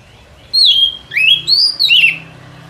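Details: White-rumped shama song used to lure the bird for trapping in forest, with long, smooth, swooping whistles that rise and fall, four phrases in a row.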